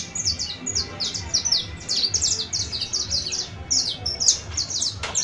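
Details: Canary singing on New Year's Eve, 31 December 2022: a busy stream of sharp, high twittering notes, many short descending sweeps in quick succession, over a faint low rumble.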